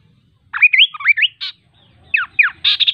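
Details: Kaso kaso bird singing a lively phrase of rising whistled slurs and a short rasp, then two descending sweeps and a fast, repeated buzzy chatter.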